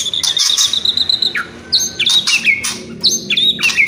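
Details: Loud, close white-rumped shama song with kretekan and whistles: a sustained high whistle, then falling slurred notes and sharp jumps in pitch, broken by crackling bursts.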